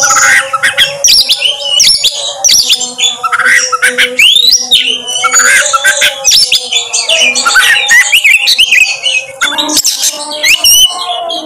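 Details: An Oriental magpie-robin (kacer) sings a rapid, unbroken run of sweet whistles, harsh squawks and chattering notes over a low steady hum; this is a trigger song meant to draw out another kacer's full repertoire.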